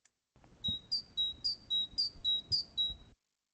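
A great tit sings a bright, high two-note 'tea-cher', dropping slightly on the second note, repeated about eight times in quick succession over faint room noise.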